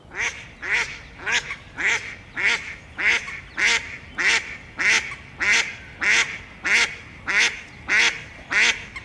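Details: Female tufted duck, a diving duck wintering on canals and lakes in South Holland, giving steady harsh rasping calls about every 0.6 seconds, some fifteen in a row, with faint background noise.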